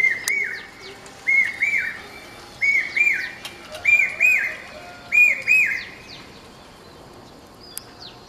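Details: A common hawk-cuckoo, also called the brainfever bird, gives loud, shrill whistled notes in quick pairs, each phrase repeated about every second and a half. Faint high notes from other birds sound behind.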